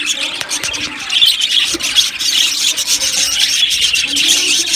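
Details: Many budgerigars in a colony aviary keep up quick, irregular chirps and grating squeaks, layered into a bright, unbroken chatter.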